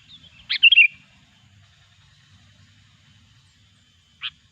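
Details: Sooty-headed bulbul lure sound used by trappers: one short phrase of a sharp note followed by a quick bubbling warble, then a long pause and a single clipped chip.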